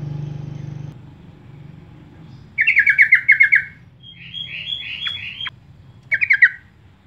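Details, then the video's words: Sooty-headed bulbul lure call used to attract birds and set them singing. A long run of rapid scratchy chatter is followed by a higher, smoother series of slurred notes, then a short final chattering burst. "pancingan trucuk terbaik dan terpopuler"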